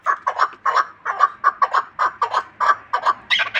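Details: Chukar partridge, a hunting bird, delivering a quick series of harsh clucking chuck notes, roughly three a second, ending in a louder, higher-pitched burst.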